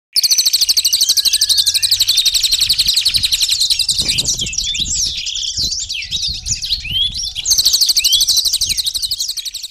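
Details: Male robin kept as a cage bird, singing actively in a training recording for other birds: dense, very fast high chirps and trills, with a looser run of varied whistled notes in the middle and a low background rumble.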